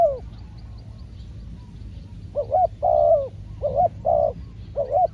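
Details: Trained spotted dove decoy calling during trapping: after a brief opening note and a pause, four quick coo phrases follow, alternating short rising doubles with longer, steadier croos. Faint higher bird chirps are audible.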